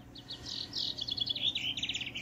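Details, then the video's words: Goldfinch hybrid song: fast, varied twittering phrases climbing and falling, ending in a quick stuttering series of high notes, close and clear over low background hum. "اجمل هجين طائر البسبوسي"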